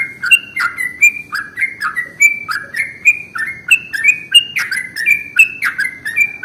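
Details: Lure sound of a sooty-headed bulbul: continuous, lively chirping of short downslurred whistles with crisp clicks, about three notes a second, unbroken for the whole stretch, no other sounds.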